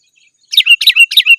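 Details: Brief, rapid phrase from a sooty-headed bulbul calling out to rivals: three linked pairs of bright notes, each pair dropping in pitch, delivered in just under a second.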